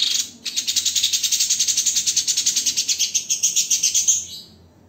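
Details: White-rumped shama in a songbird-training master recording, harsh tembakan style. A long, dense, rasping rattle pulses steadily, roughly seven beats a second, for about four seconds before it stops.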